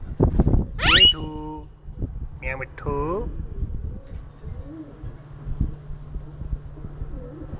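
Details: Rose-ringed parakeet in Lahore, Pakistan: a piercing screech, then a quick burst of throaty, speech-like syllables, then a quiet stretch with a steady low electrical hum.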